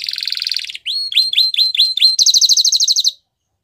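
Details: Canary song for training young canaries, described as singing in the wild: a dense buzzy trill, a run of slurred upswept whistles, then a rapid high chattering roll ending abruptly in silence.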